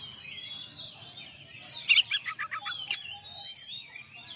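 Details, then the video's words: Oriental magpie-robin, a champion bird, singing for a training master: wavering whistled phrases, then a sharp broadband click with six rapid stuttering notes, another click near three seconds, and a thin high whistle to finish. "masteran suara kacer juara"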